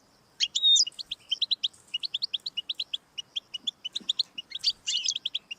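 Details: Song of a European goldfinch used to prompt a caged pet to sing: an opening twittering flourish with a pure whistle, then a long steady series of quick high tinkling notes ending in a buzzy jumble.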